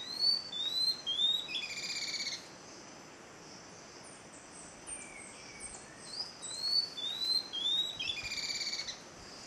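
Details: Tawny-throated Leaftosser (Sclerurus mexicanus) at Montezuma in the western Andes of Colombia, in May, giving a quick series of high, squeaky slurred whistles in two bursts of several notes, with buzzy chatter from other birds between.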